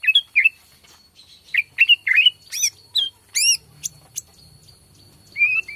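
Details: Borneo white-rumped shama song played to provoke other shamas into singing; short twisting whistled notes, several rapid high rising sweeps, then a pause and a final level whistle.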